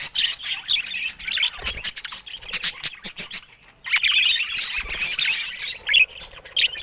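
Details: Budgerigar chatter with fast ticking clicks and scratchy squawky warbles, a quieter patch of separate clicks in the middle before the busy twittering returns.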